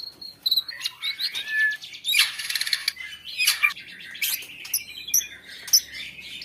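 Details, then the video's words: White-rumped shama (murai batu) in full song, meant to provoke other shamas into singing. Varied clear whistles mix with harsh rattling bursts and sharp high notes in a fast, ever-changing sequence. "muraibatu gacor cocok untuk suara pancingan agar murai batu bunyi"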